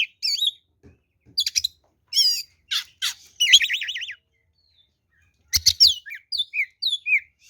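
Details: Kacer (oriental magpie-robin) giving its fighting song, the 'ngeplong' style used as a lure: scattered harsh buzzes, a fast trilled warble, then wavering whistles after a quiet stretch of over a second.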